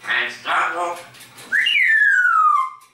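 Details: Pet grey parrot mimicking human speech, known for greetings like "Grüß Gott" and "Servus" and a pop song: a few voiced, word-like syllables, then one long clear whistle that slides steadily downward, indoors.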